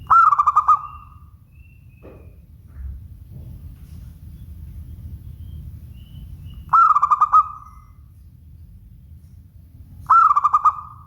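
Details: Local zebra dove song: three short bursts of rapid, rolling cooing notes, each lasting about a second and spaced several seconds apart, over a faint low background hum.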